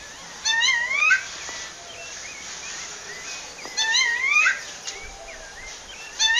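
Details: Female rufous-bellied thrush calling a male, recorded in nature in Pernambuco, Brazil: repeated rising, slurred whistles with harmonics, about three seconds apart, and faint soft chirps from other birds in between.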